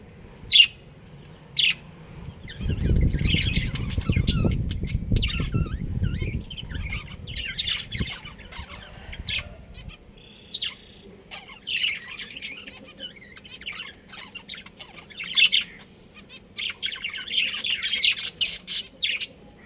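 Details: A breeding pair of budgerigars chirp and chatter in quick, scratchy bursts, with a low rumbling noise early on.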